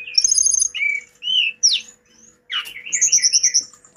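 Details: Hill blue flycatcher in lively song: a sustained high whistle over a lower note, several slurred whistles and a steep rising sweep, then a buzzy drop into a fast, even trill of repeated high notes.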